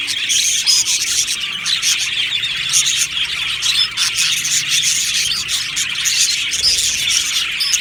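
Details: Aviary of happy budgerigars chattering, a rich mix of rapid chirps, squeaky whistles and warbles from many birds, steady in loudness.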